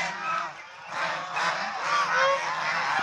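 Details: Chinese swan goose, domestic birds shown playing and fighting; a short stretch of overlapping honks that dips briefly, then resumes in a loud clamour.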